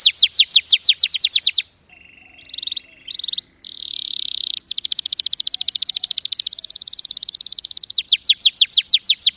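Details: Canary song with fast repeated high sweeps, a section of buzzy rolling trills with brief gaps, then a long fine rattling trill and renewed sweeping notes.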